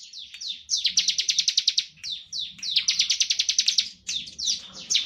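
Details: Bar-winged prinia singing the standard ngebren style, played to provoke other prinias to sing. Short downslurred whistles lead into fast chattering trills, three phrases in quick succession with little pause.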